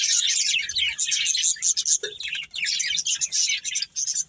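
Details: Budgerigars in a breeding pair chirping with quick high, raspy twittering phrases and small squeaks, briefly broken by short pauses.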